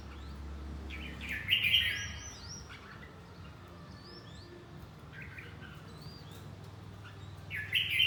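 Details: Red-whiskered bulbul in fight training, giving a strong burst of warbled, chattering notes near one and a half seconds and another at the end, with soft high sliding whistles from other birds and steady low hum.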